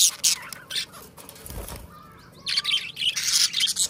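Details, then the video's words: Pair of budgies singing and talking: bursts of high, twittering chirps at the start and again after a quiet middle stretch, with a low thump and faint hiss between. "2 Hours of Budgie Best Friends - Mango and Chutney - Singing and Talking Sounds"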